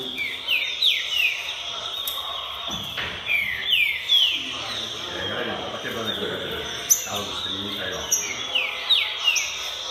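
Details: Green-winged saltator in song, described as ready before August: short downslurred whistled phrases repeated in clusters over a constant high-pitched background tone, with some low murmuring sounds midway.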